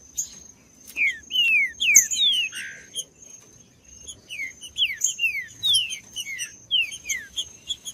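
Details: Singing green-winged saltator giving bright downward-sweeping whistles in rapid groups separated by short gaps, one lower burred note midway, against a constant faint high-pitched whine.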